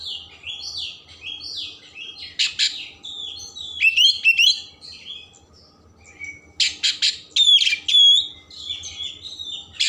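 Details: Energetic song of an Oriental magpie-robin, rich in mimicked phrases, aimed at stirring emotion and tail opening: quick buzzy chirps, harsh rasping bursts and long clear downslurred whistles, with a short quieter pause midway.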